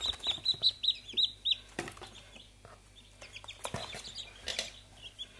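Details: Silver orange Brahma chicken chicks, a massive breed of Asian origin, give a run of six clear, high peeps about every quarter second, then scattered softer peeps among clicks and handling noises.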